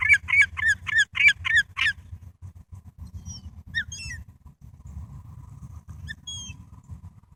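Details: Wild gulls in a flock feeding on a pile of food including pizza and leftovers: six rapid, harsh, evenly spaced calls in the first two seconds, then a few thin, higher squeaky calls over a steady low rumble.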